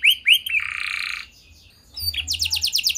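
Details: Gacor canary song played as a pancingan to make other canaries sing: two rising chirps, a harsh buzzy note, a short pause, then a fast, chattering high trill.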